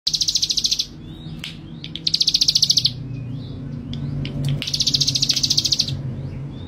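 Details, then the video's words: Male ciblek gunung, described as a persistent, bold singer: three bursts of rapid, even, high buzzy pulses, each about a second long, separated by short pauses with faint rising chirps. "Burung Ciblek Gunung Jantan Si Gacor Dan Pemberani"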